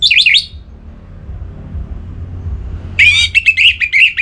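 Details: Orange-headed thrush (Geokichla citrina), a singer from Singaraja, North Bali, giving loud, rich warbled phrases with quick varied notes, a brief burst, a pause, then a longer run; faint low rumble behind; song meant to provoke rivals.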